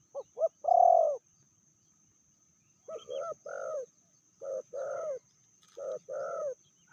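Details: Female spotted dove, described as fiercer than the male, with a medium voice: two short rising notes, then one long, loud, mellow coo, a pause, and then softer coos in pairs. A faint steady high whine runs throughout.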